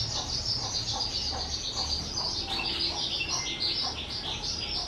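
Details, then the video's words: Kept skylark, two years old, recorded 18 April 2023, singing a fast, high, jumbled twittering warble with quick chirps and a brief whistled note, over a low background hum. "Chim Sơn Ca 2 Tuổi"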